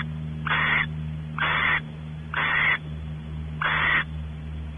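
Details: Barn owls at Audubon Starr Ranch, California, as a male explores the nest cavity and the female expects mating: four harsh, breathy hissing bursts, each about a third of a second, roughly one per second, over a steady low electrical hum.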